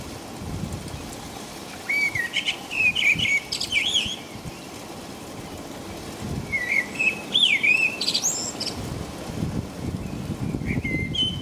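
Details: Singing in the middle of the night in English rain, a blackbird gives two separate fluty, looping phrases, each ending in squeaky high flourishes, with a brief third phrase at the close and steady rain between.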